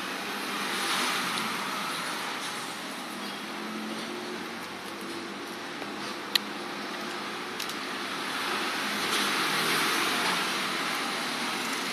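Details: Steady road traffic and passing vehicles, with no clear animal sound.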